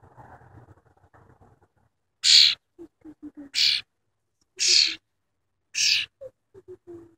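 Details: A tame wild cowbird calling: four short, harsh, high-pitched bursts spaced roughly a second apart, with soft low clicks and faint murmuring in the gaps between them.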